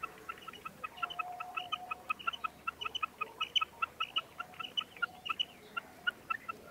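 A female common quail gives rapid, repeated short clucking notes, several per second, with a faint steady hum underneath.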